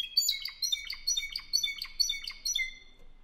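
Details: Spanish Timbrado canary, a 2015 bird kept in Albacete, Spain, sings a brief rapid sequence of ringing metallic notes and clicks, about two a second, fading toward the end.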